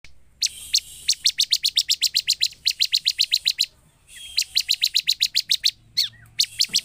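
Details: Bar-winged prinia recording used as a lure to provoke silent birds into responding: rapid bursts of sharp, high chip notes, about a dozen per burst, separated by brief pauses.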